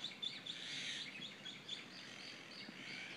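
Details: Many birds singing together in the morning in Kona: a dense, overlapping wash of high chirps and tweets, with short warbled phrases layered steadily throughout and no single voice standing out.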